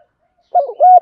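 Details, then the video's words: Spotted dove decoy calling to attract birds, a brief fragment: a wavering low coo followed by a steady, slightly longer held note. "Chim cu gáy mồi gáy gọi, cu cườm gáy gọi"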